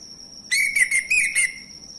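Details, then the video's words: Lure song of a male orange-headed thrush, meant to trigger silent birds to sing: four clear whistled notes in quick succession at an even pitch, with a steady high background tone. "ANIS MACET langsung bunyi Anis merah jantan"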